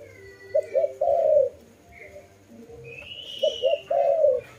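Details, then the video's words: Two cooing phrases from a dove, each with quick paired notes and a longer falling coo, separated by a gap in which a thin high whistle sounds. "Lovely dove/ lovey sounds"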